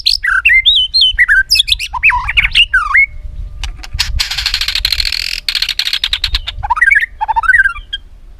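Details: Song of a white-rumped shama serving as lure for training other shamas. Rapid swooping whistles at first, then a harsh buzzy rasping stretch with clicks, then more swooping whistled notes.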